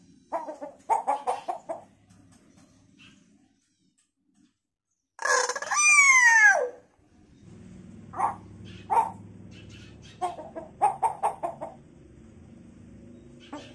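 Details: Hill myna in full voice mimicking a variety of chicken sounds: bursts of clucking notes, then a loud, strained, falling crow-like cry lasting about two seconds, followed by scattered clucks over a low background hum.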